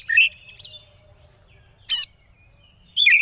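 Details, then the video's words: Oriental magpie-robin (kacer) konslet-style lure song meant to provoke rivals: a sharp warbled phrase, a long faint whistle, a single harsh rasping burst, then another twisting whistled note, with quiet gaps between. "Suara Pancingan Kacer Konslet Ngeplay Jamin Lawan Ikut Konslet"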